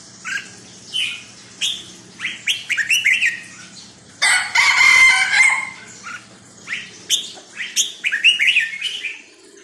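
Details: Caged red-whiskered bulbul: chirpy slurred phrases repeated through the recording, interrupted midway by about two seconds of loud broadband rustling, with a low hum beneath.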